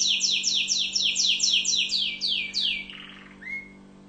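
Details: Orange canary from Tunisia singing a run of loud downward-slurred whistles, about four per second, followed by a soft rattle and one rising whistle, with a low hum in the background.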